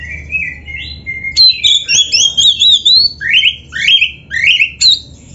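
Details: Kacer (Oriental magpie-robin) in vigorous song for training caged birds: level whistles lead into loud, rhythmic bursts of twisting whistled notes and downslurred phrases, roughly two per second.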